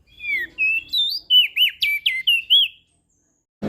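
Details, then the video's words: Crested white-eye from Lombok, recorded for training birds that seldom sing: a continuous three-second chain of clear whistles rising, dipping and wavering, about nine notes, ending abruptly with a click. "Opior JAmbul Laombok Gacor Suara Merdu - MAsteran Dan Pancingan Burung Malas Bunyi"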